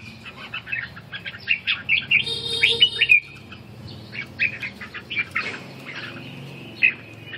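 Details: Red-whiskered bulbul practising ché song during stamina recovery: rapid chattering whistled notes, with a brief harsh, buzzy sound in the middle, then softer, scattered chirps and one last sharp note.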